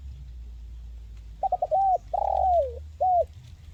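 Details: Tekukur, the spotted dove, in crisp 'mersik kuk 1' style: three rapid short coos lead into a longer note, then a long falling coo and one closing note, over a steady low hum. Used to stimulate birds reluctant to call.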